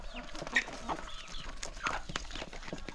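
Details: Hungry chickens at their first meal of the day on a calm country morning: a few arched peeps and low clucks among sharp pecking clicks and scuffling.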